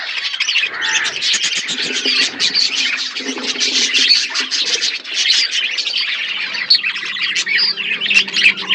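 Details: Flock of budgerigars eating food in an outdoor aviary, giving busy, high warbling chirps and raspy squawks that overlap continuously, with lower soft churring beneath and occasional fluttering.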